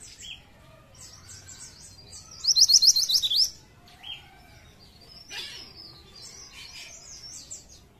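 A pied triller sings a quick, high trill of about eight bright, evenly spaced notes lasting a second. Thin chirps from other small birds sound around it.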